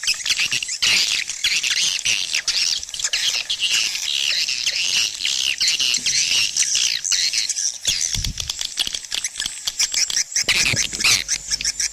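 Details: Continuous swiftlet twittering used to attract birds to nesting houses, a thick wash of high chirps with a couple of short low thumps near the end.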